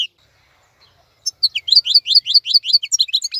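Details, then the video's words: After a second of quiet, a European goldfinch launches into a steady run of fast, sweet, high twittering notes; the bird is described as keeping its bright plumage and energetic singing while others molt. "تغريد افضل من كل تغاريد طائر الحسون الخلوي"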